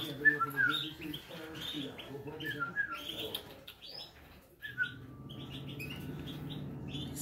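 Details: European goldfinch at feeding time gives quick, bright twittering calls, several a second, over a steady low hum.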